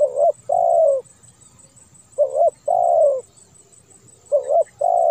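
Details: Spotted dove, an edited clear recording used to lure both house-kept and wild doves: low hollow coos in short phrases, a brief note followed by a longer falling one, repeated about every two seconds.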